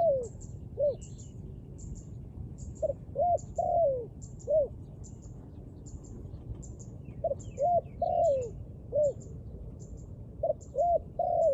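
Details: Repeated dove cooing phrases over about twelve seconds, each a few short arched hoots ending in a downward-sliding note, with gaps between; small birds chirp steadily in the background.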